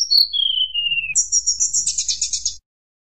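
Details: Mountain tledekan song, recorded to provoke rival birds: a high whistled note sliding steadily downward, then a fast buzzy trill of rapid repeated notes at very high pitch.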